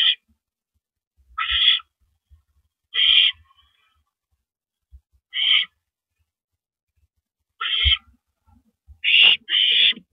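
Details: Barn owls at the nest, evening of April 9, 2012, as the male arrives with a rodent. Scattered short, harsh hissing bursts at irregular intervals over ten seconds, becoming two longer hisses near the end, with faint scuffling thumps.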